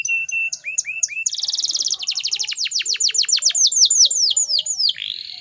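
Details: Canary hen in breeding condition, a lure to get male canaries singing, opens with level and upslurred whistles, then a dense buzzy trill that slows into a long series of descending whistled sweeps.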